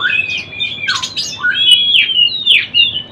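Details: Kacer, or oriental magpie-robin, learning ngeplong song: loud whistled phrases sliding up and down, a quick buzzy burst, then ringing down-slurred notes, over a soft low background murmur.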